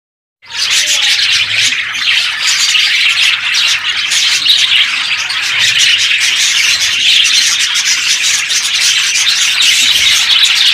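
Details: Zebra finch (Taeniopygia guttata) chicks giving a dense, raspy stream of high, buzzy calls.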